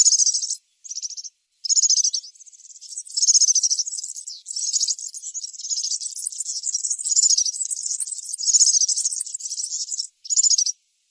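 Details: European serin in natural surroundings delivering its song: high-pitched, rapid, buzzy jingles, a few short bursts first, then a long unbroken tinkling stream lasting several seconds before one final burst.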